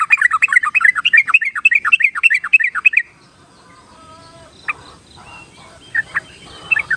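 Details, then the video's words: Yellow-vented bulbul singing, played to encourage shy birds to start singing: rapid, bubbly, rolling phrases for about three seconds, followed by near silence with a few scattered short notes. "pancingan dasar buat burung trucuk yang masih penakut atau giras"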